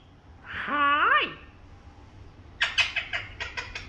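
A Princess parrot gives a drawn-out, nasal, rising-then-falling squawk, then after a pause a quick run of six or seven harsh, rasping chatter notes.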